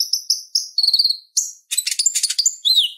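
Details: Purple-throated sunbird (konin) in lively chattering song, meant as tutor material for songbirds. Evenly spaced high chirps run into a fast dense jumble of notes. The clip closes with a sweeping downslurred whistle.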